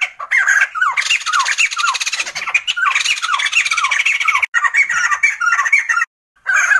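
Sumatran laughingthrush giving a loud, harsh cackling chatter of rapid, slurred notes, nearly nonstop, with only two brief pauses.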